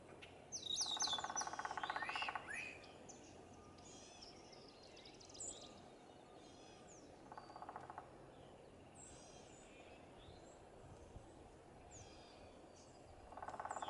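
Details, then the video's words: A brown thrasher sings in the morning along the Blue Goose Trail near the Boardwalk Trail: a loud burst of harsh, rich phrases, then shorter bursts several seconds apart, with thin high chirps scattered between. "Brown Thrasher -Morning song"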